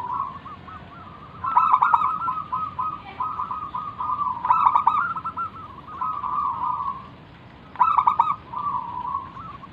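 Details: Zebra dove of a local strain from Indonesia singing as a lure to start other doves calling: bursts of rapid rolling coos every two to three seconds over a continuous soft trilling hum.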